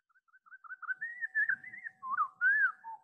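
A Pacific Wren's song, slowed so its rapid notes become a low, sliding series of whistles rising and falling over three seconds, with a faint steady hum beneath.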